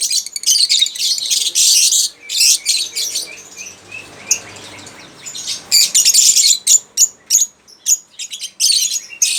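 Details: Lovebirds give shrill, high chirps and squeaks in dense bursts, with a rapid run of short thin notes in the middle and scattered sharp clicks.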